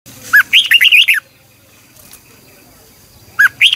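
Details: Red-whiskered bulbul singing a morning song used for training, a decoy song of the double twisting long voice style: bursts of loud, warbled whistled notes rising and falling, with a pause between phrases.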